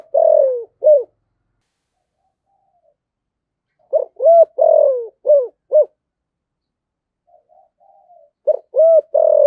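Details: Spotted dove singing the thổ sấm voice style to provoke wild doves; repeated phrases of rounded low coos, one note in each stretched and sliding downward, with quiet gaps of about two seconds and a faint soft call.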